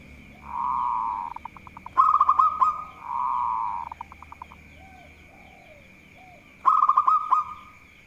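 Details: Local zebra dove in active song, noted for provoking rivals: short bursts of fast rolling coos alternating with long smooth humming tones, some faint softer notes between, and a steady high whine throughout.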